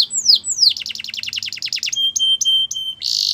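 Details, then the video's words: Belgian canary song meant to make other canaries sing: two long downslurred whistles, then a fast run of about a dozen falling notes, a few sharp notes over a held tone, and a harsh buzzy burst at the end. "Special canaries to seduce all the canaries to make them sing | Belgian canary"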